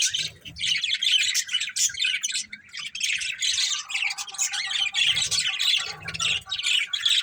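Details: Pair of breeding budgerigars keeps up busy, high-pitched chirping and warbling chatter in quick, overlapping bursts.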